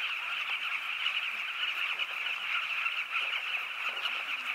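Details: At a breeding colony on the Zambezi River, huge numbers of Southern carmine bee-eaters make a dense, unbroken chorus: many overlapping rolling, throaty calls merge into a steady mid-pitched din with no clear gaps.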